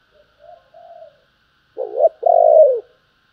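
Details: Spotted dove's 'thúc' and 'gọi' cooing: a soft, distant-sounding phrase, then a louder full phrase with a wobbling two-part start and a long, mellow, falling final coo.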